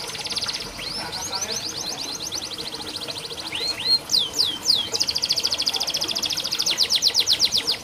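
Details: Canary tutor song for birds that sing little. Soft rapid notes and sweeps build into loud rolling trills with sharp sliding whistles toward the end.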